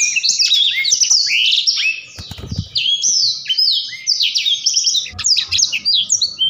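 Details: Blackthroat's gacor ngerol song: rapid high descending whistles in a continuous flow. A low thumping knock sounds in the background midway, and another faint knock comes near the end.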